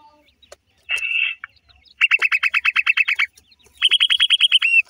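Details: Pheasant chicks playing and chasing: a short buzzy rasp, then two rapid trains of crisp descending chirps, about a dozen each, the last closing in a slurred note.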